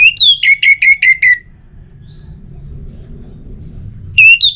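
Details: Song of an orange-headed thrush, played to prompt other birds to sing: a rising whistle, then six rapid similar whistled notes falling slightly, a pause with low hum, and another whistled phrase beginning.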